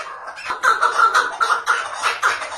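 A chukar partridge gives a rapid run of harsh, clucking chuck notes, about three a second, steady in pitch, with a light background hiss.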